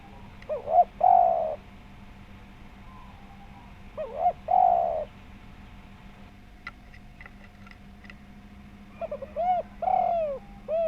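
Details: Spotted dove (tekukur) cooing as a lure to draw calls from other doves: three hoarse phrases, each with quick stutters then a longer descending coo, spaced about four seconds apart, with faint thin chirps between them and a steady low hum.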